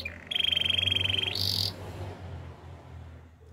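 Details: Canary giving a short, rapid, even trill followed by a brief harsh buzzy burst, then near silence for the rest of the recording.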